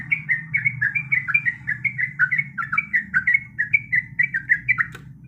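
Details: Yellow-vented bulbul female, in breeding condition, calling to a male with a steady stream of short warbled chirps, rising and falling in pitch at roughly four per second, over low humming noise; a sharp click near the end.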